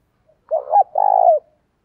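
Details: Part of a decoy spotted dove's luring coo: a short rising coo followed by a longer, rolling, vibrating note that slides down at the end.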